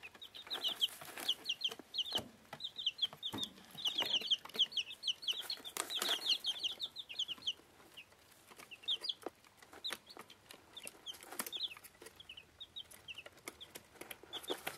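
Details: Week-old bantam chicks of Plymouth Rock and Rhode Island Red breeds feeding. Busy bursts of shrill peeps crowd the first seven seconds, then thin out to scattered cheeps among frequent tapping pecks.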